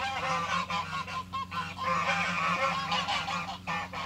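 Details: Farm geese kept together with chickens in spring honk almost without pause, a rough chorus of loud nasal calls rising and falling in waves, over a low background hum.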